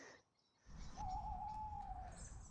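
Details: An owl gives one long, steady, slightly wavering hoot of about a second at mid pitch. It calls at dawn in misty autumn woodland near Castle Drogo and Fingle Bridge, as the songbirds' morning chorus begins, over low wind and outdoor noise.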